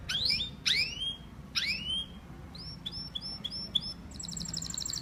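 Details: Softer canary singing with three upswept slurred whistles, a string of short clipped notes, and a quick high trill at the end.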